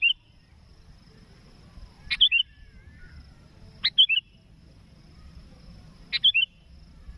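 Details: Sooty-headed bulbul called up to lure a rival for trapping: short bright whistled phrases of two or three quick notes, each led by a sharp click, repeated about every two seconds over a faint steady hum.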